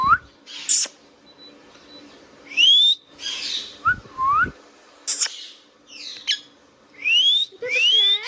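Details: Pet Indian ringneck parrot giving its natural voice: short harsh squawks alternating with bright rising and falling whistled sweeps in bursts every second or so, over a faint steady low hum.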